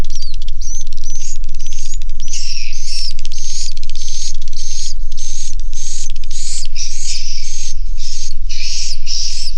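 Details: Massed swiftlet chatter recorded inside a swiftlet house. Continuous high, rasping chirps come in a rhythmic pulsing of roughly three bursts a second, threaded with quick clicks above a low hum.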